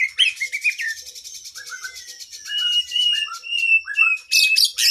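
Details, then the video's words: Oriental magpie-robin, a loud kacer training song for cage birds with long fill-in phrases: rapid scratchy twitters at the start, then rising whistled slurs and clear sustained notes, ending in dense buzzy bursts. "Masteran Burung kacer Gacor isian Panjang"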